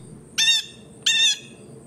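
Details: Blue jays feeding in a yard: two harsh, nasal, buzzy calls, each about a quarter second long and rich in overtones, given roughly 0.7 seconds apart over a faint low background hum.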